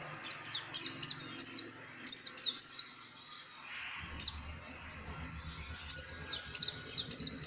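Oriental white-eye giving thin, high, descending chirps in quick bursts, several per second, with a brief pause midway; faint low background hum.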